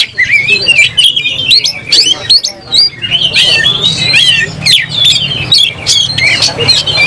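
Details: Agitated oriental magpie-robin fighting with its tail fanned, singing in short loud bursts of whistles, harsh scratches and clicks, roughly one phrase per second, with a faint low hum beneath.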